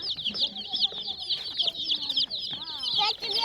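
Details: Colourful baby hen chicks in a group chirping constantly, a dense overlapping chorus of high, thin peeps with short rising and falling notes, plus a brief low voice near the end.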